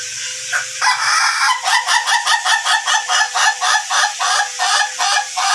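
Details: Ayam Ketawa (laughing chicken) of the long-duration type, trained to crow for up to three minutes: after a brief start, a loud, rapid chain of rhythmic, cackling syllables, about four a second, like steady laughter.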